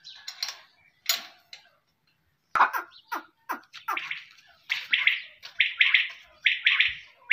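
Quail giving harsh, buzzy chirps in quick bursts, some grouped in short runs of two or three notes, repeating about once a second.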